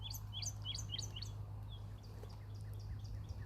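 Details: Cardinal, a master singer seeking a fight, gives a quick run of sharp, clear downslurred whistles, about four per second, then softer fading notes over a low steady hum.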